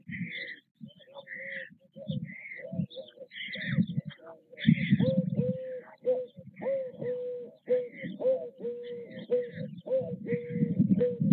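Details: At a Nové Mlýny white stork nest on 6 May 2024, chicks beg as parents bring food: low rasping, rustling noise with scattered high squeaks, then a run of steady, even mewing notes repeated roughly every half second.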